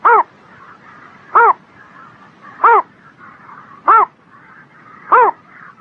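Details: A spring-morning bird gives five clipped, hoarse notes, each rising then dropping, spaced about 1.3 seconds apart, over a soft warbling chatter of other birds.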